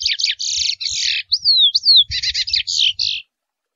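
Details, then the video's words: A wild Chestnut-bellied seed finch (curió, Sporophila angolensis) in Brazil sings a bright, varied phrase: buzzy chattered notes, two long slurred whistles, then a quick run of sweet rising notes, with nothing else heard. "O Canto do Curió selvagem mateiro"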